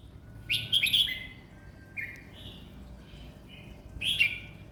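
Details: Caged red-whiskered bulbul, a competition bird, singing a relaxed song. It gives short bursts of bubbly, warbled whistles with pauses between them, over a low steady hum.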